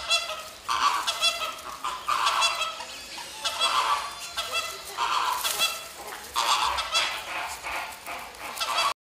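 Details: Purple gallinules in a walk-through aviary at Pairi Diaza, where a pair feeds its chicks and works on the nest. Loud, nasal, honking calls with strong harmonics come in bursts of roughly a second, separated by brief pauses, continuing throughout.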